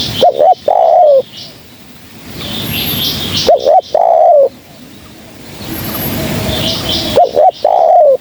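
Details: Spotted dove call for luring birds into traps: three phrases, each a quick two-note coo and then a longer sliding coo, spaced about three seconds apart. Thin chirps of other birds sound between them.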